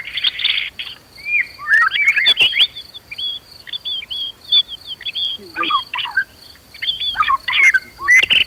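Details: White-rumped shama (murai batu) giving challenging fighter-style song. Scattered short whistled notes and downslurs come in loose bursts separated by brief gaps. A constant thin high tone sounds in the background.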